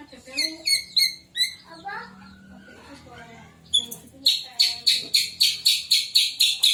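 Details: White-rumped shama song used to trigger other shamas: soft whistled phrases, then a fast rhythmic series of high sharp repeated notes, about four per second.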